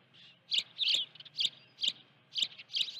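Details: Nest-bound osprey with live fish, Dunrovin Ranch, afternoon of 16 June 2019: clear piercing chirps spaced about half a second apart, some doubled, over a soft low background hum.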